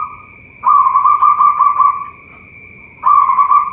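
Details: Local zebra dove at a bird farm in Boyolali, Central Java, cooing in fast trilled phrases, one long rolling burst then a second starting, over a constant high-pitched whine.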